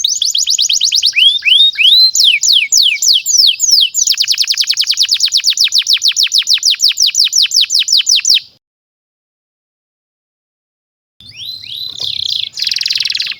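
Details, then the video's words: Tutor song of a domestic canary for young birds: rapid upswept notes flow into a long fast rattling trill lasting several seconds, a silence, then the trilling resumes. "SUARA BURUNG Kenari GACOR PANJANG INI Cocok untuk Masteran KENARI PAUD dan Kenari Macet BUNYI"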